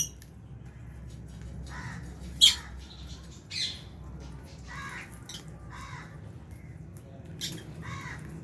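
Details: Albino and Fisher's lovebirds eating in an aviary with budgies, giving scattered harsh, buzzy squawks and one sharp shrill note, separated by short pauses, against a quiet low hum.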